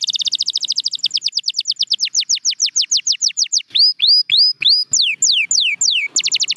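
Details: Canary song: long rhythmic runs of rapid whistled notes, first fast downward strokes, then slower upslurred and downslurred syllables at a steady pace, ending in a quick trill.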